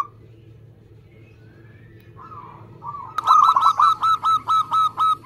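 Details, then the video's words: Fast, tightly paced song of a local zebra dove, kept to lure and prompt other doves to sing: faint coos at first, then a loud series of about ten evenly spaced, burry cooing notes. "Perkutut lokal gacor Speed rapet"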